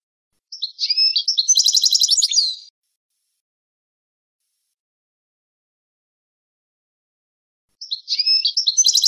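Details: European goldfinch singing, recorded as teaching material for young goldfinches and hybrids: two bursts of tinkling twitter and a dense buzzy trill, separated by about five seconds of silence.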